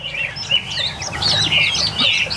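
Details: Tame caged Chinese hwamei, one of a group of eight newly arrived birds, singing: a dense stream of overlapping clear whistled phrases, warbling and sliding up and down, with sharp accents and a faint low hum underneath.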